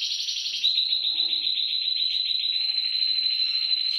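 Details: Canary song meant to get canaries singing: a single sustained high rolling trill, held steady with a slight pitch drop partway through, loud and clear.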